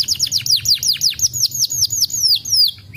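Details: Canary singing a series of loud, sharply falling whistled notes, each sweeping down from high pitch, repeated about five times a second and slowing slightly toward the end.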